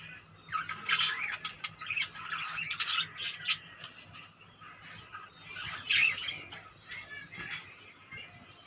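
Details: A colony of budgerigars makes busy high chirping and warbled chatter in uneven bursts, with louder clusters early and midway, over a faint low hum.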